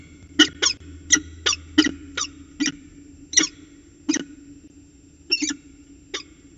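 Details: Peregrine falcon chatting at a ritual dance, Orange CSU, New South Wales, 19 February 2020. Spaced single harsh, clipped notes, about eleven in six seconds, irregularly timed, over a quiet background with a faint low hum.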